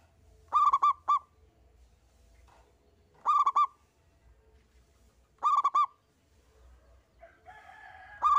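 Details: Local zebra dove singing alone to prompt other birds, three short bursts of three or four rapid hooted notes spaced about two seconds apart, then a brief different bird noise near the end over low background hum.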